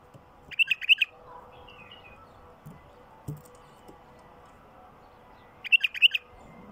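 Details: Two lively warbled bursts from a wild bulbul, several seconds apart, each five or six fast bright notes, plus a faint softer phrase between; recorded to draw wild bulbuls in, with steady hum behind.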